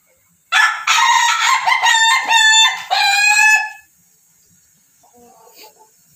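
A Pelung rooster gives one long, rich crow of over three seconds, rising and wavering through several drawn-out syllables; faint chirps follow in the quiet.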